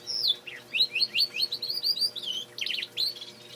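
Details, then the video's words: Male canary, a pet bird, singing indoors. Fast rolling trills of high sweet notes that bend up and down are repeated several times a second in a continuous phrase, with faint room hum below. "Canary singing"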